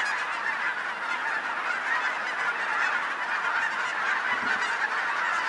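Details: Gathering of vast numbers of geese in Colorado, an endless din of overlapping honks from the flock, loud and steady, with a brief low thump near the end.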